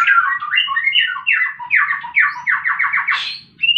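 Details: Rapid, energetic fighting song of a white-rumped shama, played to stir quiet birds into singing: tumbling whistled phrases speeding into a run of about eight quick descending notes, then a rising upward note.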